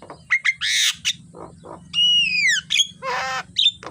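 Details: Javan myna singing in the morning, recorded as a master track for training birds: a varied run of short whistles, harsh buzzy bursts and a long, clear, falling whistle, with a short sharp whistle near the end.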